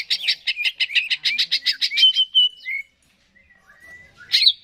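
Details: Cucak ijo (greater green leafbird) song to stimulate singing: a quick series of about a dozen sharp harsh notes, a drawn-out whistle, a short pause, then a brief loud burst.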